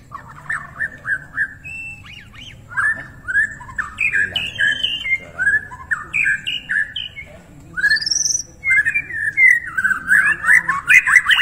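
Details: White-rumped shama, Borneo plump form, in full mimicry-rich song meant to stimulate silent shamas: varied rich whistles and warbles, phrases of rising and falling notes with short gaps, growing busier toward the end.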